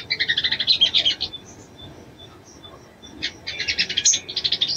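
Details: Calling female little spiderhunter trying to arouse a male: fast chattering bursts of high chirps, about four per second, separated by a quiet stretch with a few faint high notes.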